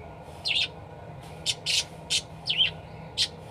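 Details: A parakeet calling energetically for use as training material: six separate high, sharp chirps, some with a quick twisting inflection, spaced about half a second apart above a faint low hum.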